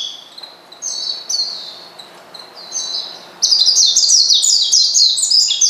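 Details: Oriental white-eye challenging a rival: softer scattered high chirps at first, then a sudden loud, unbroken stream of piercing, rapid twittering with falling slurs, roughly three to four notes a second.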